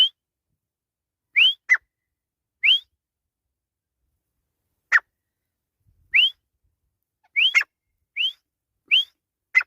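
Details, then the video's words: Grey francolin in the jungle giving sharp upward-sweeping whistles, sometimes paired with a quick falling note, irregularly spaced and quickening toward the end, against a silent background. "Desi Teetar Ki Masti In Jungl | Teetar ki Awaz | Desi Teetar Ki Awaz"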